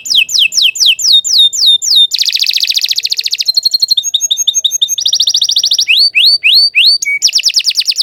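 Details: Long, loud canary song made of varied tours: falling whistles, a dense buzzy trill, quick chips, a rising rolled trill and sweeping whistled notes, one after another.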